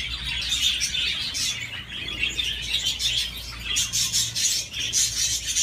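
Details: Budgerigar on a swing, chattering continuously in a scratchy warble, with sharper high squeaks clustered in the second half and a faint low background hum.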